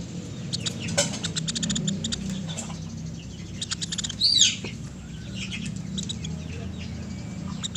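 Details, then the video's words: Sunda pygmy woodpecker making a long series of rapid dry ticks early on, then scattered clicking bursts; a brief high squeaky note from another bird midway, with low background hum. "MASTERAN PELATUK SUARA JERNIH"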